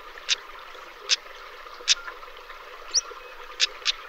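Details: European stonechat (Saxicola rubicola) giving sharp, dry tick notes like two pebbles knocked together, spaced irregularly about every half second to a second, over a soft steady hiss.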